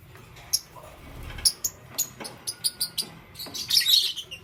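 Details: Green, yellow and lutino lovebirds chirping in the morning: a series of separate piercing tweets about every quarter second, building into a busier tangle of squeaky chatter at the end.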